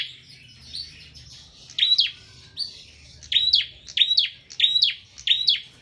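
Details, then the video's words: A prinia gives softer chirps, then a steady run of five loud, sharp chirp phrases about every half second, over a faint low hum. "burung prenjak full gacor"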